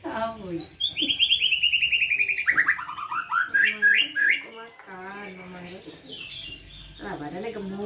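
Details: White-rumped shama singing in the 'pastol' style, used as tutor song for young birds: rich whistled phrases sliding downward, then rising upslurred notes and varied chatter, followed by softer mixed calls at the end.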